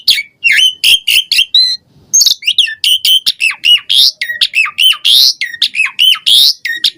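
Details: Rich mixed song of an Asian pied starling, used to prompt caged birds to sing: loud harsh chatters, squawks and looping whistles delivered almost without pause, dense and energetic throughout.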